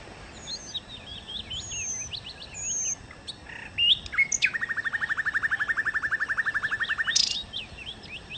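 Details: Nightingale in lively song: thin high whistles and twittering notes, then a long, even rattle of rapidly repeated notes lasting about three seconds, closing with a sharp high burst.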